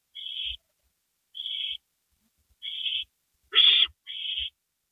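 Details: Owls at 2:05 AM, April 27, 2012, with a gopher brought in. Steady, evenly spaced hissing calls about one and a half seconds apart, then a louder, rougher screech followed closely by another hiss. Faint taps sound underneath.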